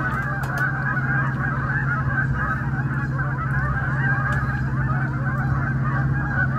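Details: Canada geese on migration on the Saint-Maurice River, 21 September 2019: a large flock making constant overlapping honks that merge into a dense, unbroken clamour, with no pauses.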